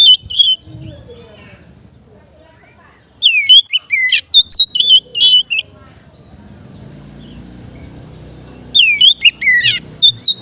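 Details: Kept Oriental magpie-robin singing in the relaxed ngeplong style, used as training for untrained birds: bursts of loud, clear whistled notes with sharp upswept and falling slurs, separated by quiet pauses, faint low hum beneath.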